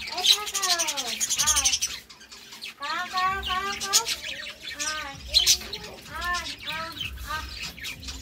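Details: A couple of budgerigars warbling, with repeated rising and falling ringing notes in short bursts separated by brief pauses, mixed with high scratchy chirps.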